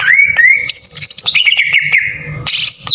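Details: Short burst from a green leafbird lure recording in rough 'tembakan kasar' style: rising whistles, then a high buzzy note sinking step by step through rapid clicks, and a sudden high squeal.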